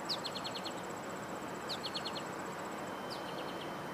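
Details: American Goldfinch calls, given as three quick runs of four or five high, thin, down-slurred notes over a steady high insect buzz and outdoor hiss, on 14 July 2022. American Robins were vocalizing nearby, possibly in concern at a hawk.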